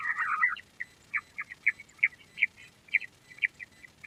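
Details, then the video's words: Queen quail giving a brief rough burst, then a series of short, separate chirps spaced roughly every third of a second, softer and evenly paced. "Queen quail sound || Lohari ka Awaaj"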